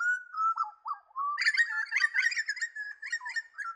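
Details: Pied butcherbird in wooded areas of the New England region of northern NSW gives clear, fluting whistled notes that slide and dip around the middle pitch, joined after a second by a busier cluster of overlapping chirps and warbles.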